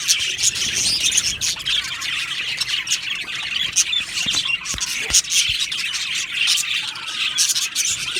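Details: Colony of budgerigars, Australian parrots, chirping and singing in an aviary; continuous high chatter of squawky chirps and warbling trills from many birds, with several sharp clicks or taps.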